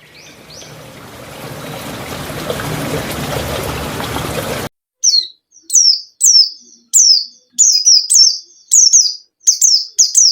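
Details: White-eye song used as a lure to make a lazy caged bird start singing: steady rushing, water-like noise for the first half, then clean, high, sharp chirps that slide downward, given in quick bursts separated by short silences.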